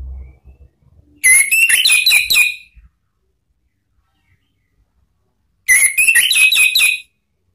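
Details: Lure song of an Orange-headed thrush for cage birds, in the ngeplong and ngeriwik styles. Two matching phrases of fast, bright, whistled notes with rising slurs, each lasting about one and a half seconds, come four seconds apart.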